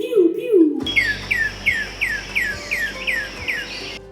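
Northern Cardinal song: about eight clear, down-slurred whistles in quick succession, like 'pew pew pew', after a brief spoken voice.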